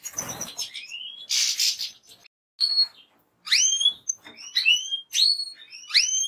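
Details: Goldfinch calls and song notes: a harsh burst, then a series of loud upward-sweeping whistled notes repeated with short gaps.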